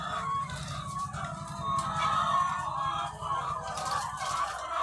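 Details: Egg-laying hens by the thousands on a farm, a busy wash of overlapping clucks and nasal cackles over a steady low droning hum of machinery.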